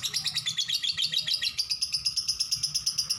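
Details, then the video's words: Lovebird giving a long 'ngekek' chatter: a fast, even stream of sharp, high, buzzy notes, steady for the whole stretch, with faint low hum beneath. "lovebird ngekek panjang"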